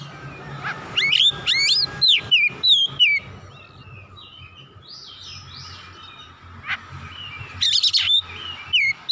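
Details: Oriental magpie-robin, worked up and emotional, pouring out its repertoire: a quick run of rising and falling whistles and sharp chips, a quieter warbling stretch, then another loud burst of notes; low background hum.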